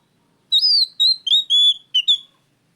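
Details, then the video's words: Oriental magpie-robin, a loud lure song for training caged birds, given as one phrase of clear whistled notes: a rising slurred note, then several level and slightly falling whistles with short sharp clicks, around two seconds long. "pancingan Kacer gacor suara keras plong"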